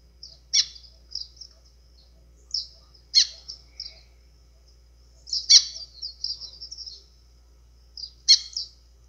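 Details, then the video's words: A White-throated Seedeater sings bright, high phrases, a sharp note then a quick warble, about every two to three seconds over a faint low hum, a song style called "azulão". "GOLINHA CANTO AZULÃO"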